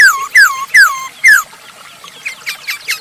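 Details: Masked laughingthrush song used as a lure for other birds: four loud whistles each sweeping steeply downward, about half a second apart, then faint scratchy notes.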